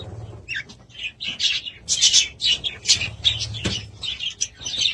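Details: Budgerigar warbling at home: lively bursts of high chirps, squeaks and scratchy notes following one another rapidly, over a faint low hum.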